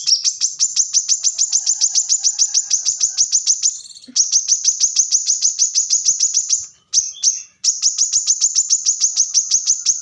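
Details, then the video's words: Plain-throated sunbird (kolibri kelapa) pouring out close-packed song for training cage birds: long runs of very fast, high, metallic ticking notes, about three per second, broken by two or three short breaks. "kolibri kelapa | manggar | wiceh | korlap gacor tembakan rapat"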